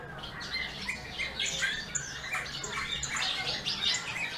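Eurasian bullfinch giving a busy, scratchy warble of short creaky notes and brief piping whistles, fairly high-pitched, with a faint background hum.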